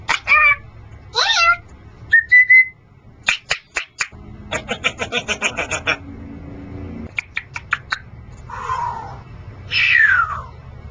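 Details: Pet male Congo African grey parrot mixes quick whistled slurs, sharp clicks and rapid ticking sequences with a raspy, noisy call and a final descending whistle, all indoors.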